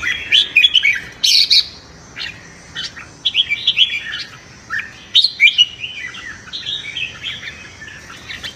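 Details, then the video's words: Morning competitive song of a red-whiskered bulbul, sung for voice training and to stir newly caught birds into dueling. Rapid chirpy warbles follow one another almost continuously, with a few sharp louder notes. "Chào Mào Hót Đấu - Chào Mào Hót Sáng Luyện Giọng Kích Bổi Hót Đấu Căng Lửa"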